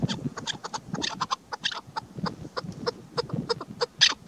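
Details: Female chukar partridge calling, used as a lure in the hunting season: a steady stream of short, clipped clucking notes repeated several times a second, some louder and harsher, over faint low rumbling background.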